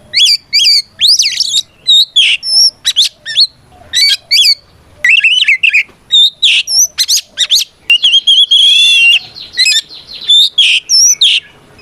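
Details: Oriental magpie-robin fighting song meant to draw out opponents: fast, varied phrases of sharp rising whistles, rasping notes and chattering bursts, repeated almost without pause.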